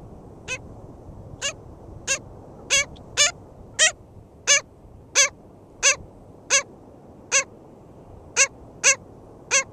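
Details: Black skimmer at its nest in St George State Park, Florida, on 22 June 2013: a series of loud, nasal, barking notes, about thirteen in ten seconds at uneven intervals, over a faint low rumble.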